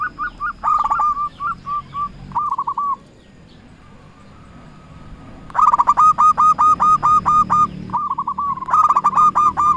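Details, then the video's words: A singing local zebra dove calls out to rivals as a lure. Loud rapid trains of soft cooing notes come in long rolling phrases, a quiet gap midway, then a strong run of evenly spaced notes and another burst. "Perkutut lokal gacor RAJA PIKAT memanggil lawan sekali dengar bikin semua perkutut nyaut"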